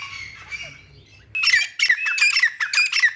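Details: Grey francolin (teetar) making sounds while playing in mud: faint distant calls over a low hum, then from about halfway a loud close series of raspy, clipped squawks with upslurred whistles.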